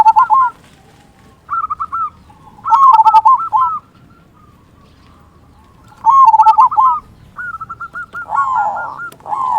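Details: Zebra dove of a local strain, singing often with a big 'kung' voice, played to lure and excite other doves. Rapid, rolling coo phrases repeat, loud bursts alternating with softer, higher stuttering runs.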